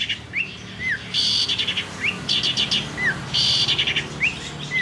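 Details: Long-tailed shrike from Banyuwangi, Indonesia, a caged bird with a loud, varied, mimicking voice: short curved whistles that rise then fall, broken by two rasping, buzzy bursts.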